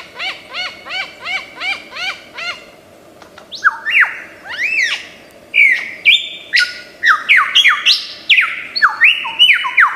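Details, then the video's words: Lyrebird, an Australian forest mimic, starts with a rapid series of arched repeated notes, then switches to loud buzzy rising and falling squawks with whistled steps, repeated roughly every half second. "Lyrebird gacor 1001 macam suara"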